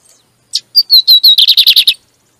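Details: Double-collared seedeater song used to stimulate another bird during training: a few whistled notes quickly give way to a fast run of repeated buzzy notes, ending abruptly.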